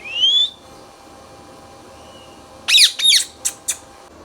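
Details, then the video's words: Indian ringneck parrot kept as a pet: one clear rising whistle, a second of near silence, then two loud harsh squawks followed by two brief sharp chips. "Ringneck Parrot Talking"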